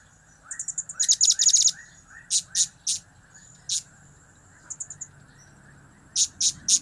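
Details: Blue-crowned hanging parrot call for luring birds: fast trills of high chips and dense rapid bursts, followed by spaced single shrill notes and a final triple, over a low hum.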